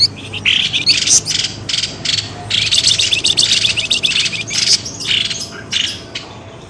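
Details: Noisy twittering used to lure birds out of bushes: continuous, overlapping high chirps and harsh squeaky notes form a busy chatter throughout.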